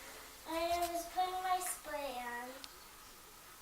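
A child sings a few sustained, wavering notes in a quiet room, rising and falling across three short phrases, with no animal sounds present.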